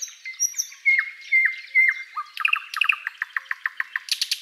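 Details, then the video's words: Thrush nightingale (Luscinia luscinia) singing in a spring forest at sunrise: a few sharp down-slurred whistles, then a rapid series of clicking, rattling notes ending in a high buzzy burst. "Nightingale chirping and singing"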